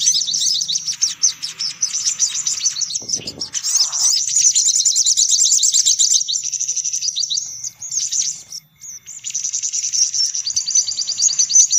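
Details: Sunbirds on a lure recording meant to draw in all kinds of sunbirds: dense, high, rapid chirping and twittering trills, overlapping and busy, with a brief low rustle near the middle.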